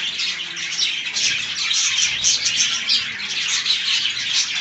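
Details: Flock of budgerigars enjoying fresh green leaves; bright, busy warbling and squeaky tweets pour out without a break, loud and even throughout.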